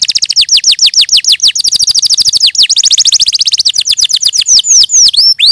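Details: Canary producing a steady run of rapid downward-sweeping notes, briefly merging into a tight trill, then slower separate curved whistles at the close.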